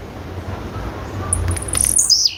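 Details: Call of a female blue-black grassquit: a few soft high ticks lead into one sharp, high-pitched note that glides down and ends in a lower tail, with low background hum.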